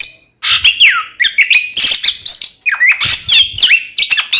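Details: Dense, harsher Oriental magpie-robin singing meant to provoke rival birds. Fast overlapping chirps, squawky notes and downward-slurred whistles pack the phrases, with faint low thumps underneath.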